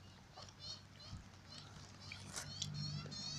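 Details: A juvenile Australian magpie in a cemetery gives harsh, wavering begging squawks several times a second, begging its parents to pick up chips from the ground and feed it, over a low background rumble.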